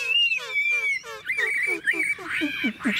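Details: A caged Chinese hwamei in Tuyen Quang, stretching up nearly to the cage roof as it sings, gives a rich run of slurred, downward-falling notes, about three a second, over a high, steady whistled tone.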